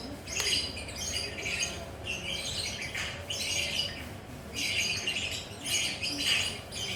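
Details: Lovebird sitting relaxed and chattering in the ngekek style: grating, high-pitched squawk bursts come in uneven clusters roughly every second, with brief quiet breaks.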